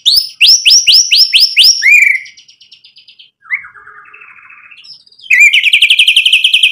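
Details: White-rumped shama in full song for provoking other birds: a rapid series of about eight sharp upslurred notes, a softer buzzy trill, a pause, then a fast, steady high chattering trill.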